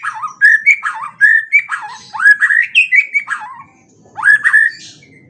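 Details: White-rumped shama song meant to provoke other shamas into answering and showing their repertoire: a rapid run of varied warbled whistles rising and falling, then a short gap and a final bright upslurred phrase.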